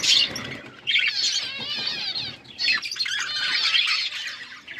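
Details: Outdoor aviary flock of budgerigars giving busy, warbling chatter in bursts of rapid, wavering high notes, with a short lull near the middle before the twittering swells again, many birds overlapping.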